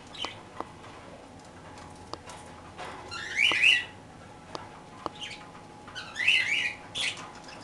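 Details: Pet parakeets eating their daily toast give two short bursts of scratchy, high chattering about three seconds apart, with scattered sharp clicks and a faint steady hum.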